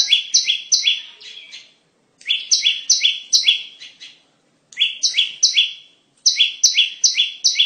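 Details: Bar-winged prinia singing, a sound used to lure birds for trapping: short bursts of four to six quick, sharp, two-tone chirps, each dropping in pitch, separated by brief silences.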